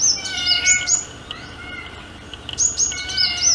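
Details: Short bursts of piercing, high chirps from a sunbird in courtship, split by a quieter second with faint lower whistles.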